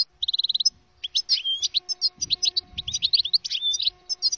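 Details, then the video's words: European goldfinch song used to lure goldfinches into traps: opens with a quick run of about ten identical high ticking notes, then a pause, then lively tinkling twitters and liquid slurred notes, with faint low rustling beneath. "صوت مجرب لصيد الحسون"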